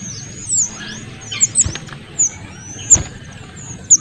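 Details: Small minivets utter high, thin whistles, roughly one a second, each sliding down, amid faint background noise. The song serves as a model and a provocation for oriental magpie-robins.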